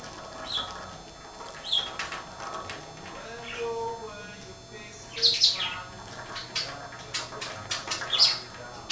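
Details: Two pet budgerigars, a green one playing with a ball while a blue/white one "yells" at him: short, sharp chirps in scattered bursts amid soft rustling and clicks.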